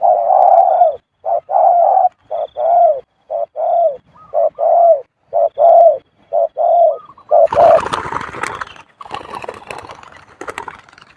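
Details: Male spotted dove cooing in the khu-ang style almost constantly: low, mellow coos in a steady series of about a dozen short phrases over seven seconds. Rustling and handling noise follow at the end.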